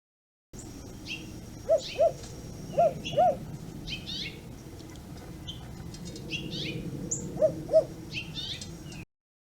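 An American crow mimics an owl with low, hollow hoots given in quick pairs, three times over; small birds chirp and twitter high in the background.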